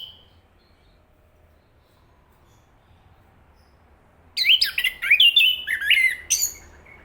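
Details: After a faint early note and several seconds of quiet, a thrush sings a rapid burst of sharply slurred whistles rising and falling, about ten notes over two seconds.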